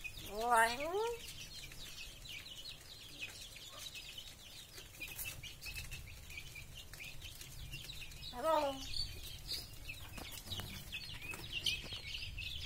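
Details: Common hill myna talking, giving two short, voice-like phrases with a rising, slightly wavering tone, one at the start and another about eight seconds later, over a steady background of busy, high-pitched chirping from many other birds.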